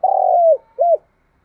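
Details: Spotted dove in 'thúc gù' cooing: one long steady low coo dropping at its end, followed by a brief arched note. Nothing else is heard.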